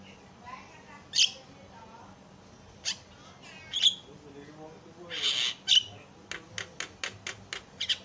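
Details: Javan myna song used as a lure to get other mynas singing: harsh, scratchy whistles and chattering bursts, then a quick run of sharp clicking notes at about three per second.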